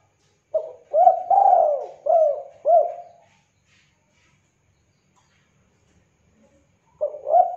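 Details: Spotted dove calling clearly, used for luring and tutoring birds: a series of low mellow coos, the first drawn out, then two short arched notes, a long pause, and the phrase starting again.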